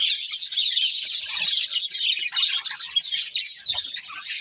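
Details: Budgie breeding pair chattering loudly: rapid high chirps and warbled phrases running together, with a sharp whistled note near three seconds.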